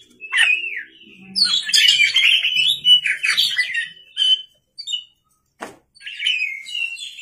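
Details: Oriental magpie-robin in energetic night-time song used as a lure: bursts of loud varied whistles and buzzy trills broken by short silences, one sharp click, and a faint low hum early on.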